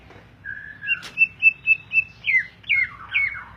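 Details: Greater green leafbird, a caged songbird, whistles a long note, then a quick series of short level whistles and several sweeping slurred phrases, after a sharp click near the start.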